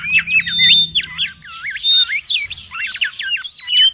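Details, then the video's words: Wild mangrove whistler calling busily: a tangle of swooping, bouncing whistled notes with a few clear level whistles, continuous through the whole passage. "SUARA PIKAT DAN MASTERAN BURUNG KANCILAN BAKAU RIBUT DI ALAM LIAR"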